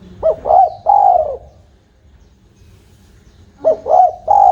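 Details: A tame spotted dove coos: two quick soft notes then a long, slightly falling hoot, the phrase starting again after a two-second pause, over a low steady hum.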